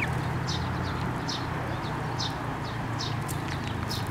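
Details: At a Tenmangu shrine on 9 May 2024, sparrows fly down to a hand for food. Sharp high chirps repeat about every half second over a constant deep hum.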